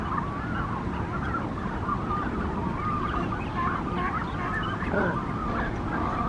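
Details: Brandt's cormorants at their nesting colony in Monterey, morning, with chicks present: many wavy, warbling calls overlap continuously above a heavy low roar of background noise.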